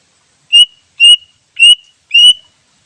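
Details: Wild greater green leafbird, recorded for use as a trapping lure: four clear, slightly rising whistled notes, each about a quarter second long, spaced roughly half a second apart, with no other sounds.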